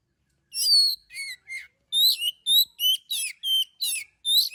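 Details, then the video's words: Oriental magpie-robin singing energetically, used as a lure to draw song from other birds: a rapid sequence of about ten high, scratchy, buzzing phrases with whistled slurs, delivered almost without pause. "Suara burung kacer gacor paling ampuh buat pancingan"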